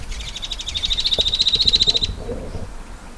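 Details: Desert-dwelling Shining Sunbird of Africa and the Arabian Peninsula: a fast, buzzy trill of evenly pulsed high notes, about two seconds long, that swells then stops abruptly, leaving quiet background noise.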